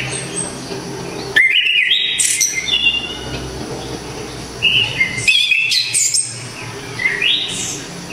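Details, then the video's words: Loud, clear song of an Orange-headed thrush from Java: rich warbled phrases mixing rising whistles and high piercing notes, in two main bursts near 1.4 and 5.3 seconds with softer fragments after each. "ANIS KEMBANG‼️SANG Legenda TANAH JAWA ‼️TEMBAKAN KERAAS‼️DERRR DOR MANTAP JIWA‼️"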